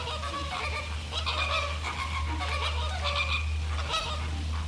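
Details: American flamingo in the Caribbean during a courtship mating dance, giving nasal, goose-like honks with layered harmonics in short bursts about every half second to second, over a steady low hum.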